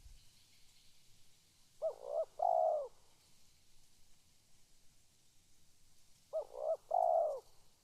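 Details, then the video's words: Spotted dove calling: two phrases of soft, low, rounded coos, each a short double note followed by a longer drawn-out coo, about four seconds apart, against quiet background hiss. "Suara tekukur memanggil"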